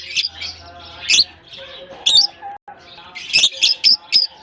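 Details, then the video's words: Several lovebirds in a colony aviary in Germany, just released at the start of the summer season, exploring new surroundings; shrill, high chirps in quick bursts and clusters, overlapping callers, with faint steady tonal hum underneath. "Japan lovebirds release in colony season off come to summer 🌞 off season bird good chirping sound"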